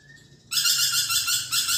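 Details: Energetic lorikeet (nuri perkici) giving one loud, harsh rasping screech of just over a second after a faint whistle, from a recording meant to tutor magpie robins.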